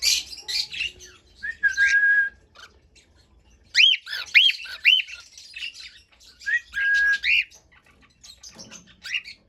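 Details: Cockatiel singing a series of arched whistled notes in quick runs of three or four, mixed with level drawn-out whistles and raspy chatter.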